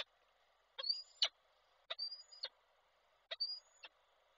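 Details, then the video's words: Peregrine falcon male with a prey gift, calling to the female at Koszalin, 16 February 2024, from an online falcon camera. Three paired calls, each a sharp onset with a thin whining tone sliding through it and a hard closing note. "samiec z prezentem, Nilę wołał"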